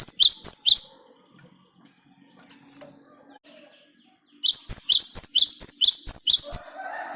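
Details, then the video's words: Great tit (Parus major) singing vigorously as a lure for other songbirds: a brief burst of high repeated notes, a quiet gap with faint hum, then a longer run of about ten sharp, bright phrases. "Ngalas Ngerol Burung Gelatik Batu Gacor buat Pancingan"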